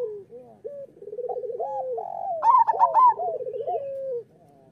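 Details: Local zebra doves singing, a master recording meant to prompt lazy or molting doves to sing. Several overlapping rolling coos, with trilled phrases and a brighter burst of high notes midway, then a drawn-out coo fading at the end.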